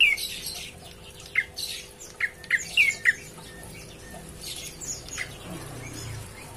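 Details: A prinia, possibly calling to companions, gives a quick, irregular series of sharp, high chipping notes over about three seconds, mixed with harsher scratchy bursts, then falls quiet.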